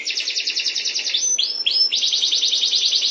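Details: A canary of a breeding pair sings a rapid, rolling high trill. It pauses for two swooping slurred notes, then the dense trill resumes at the same fast pace.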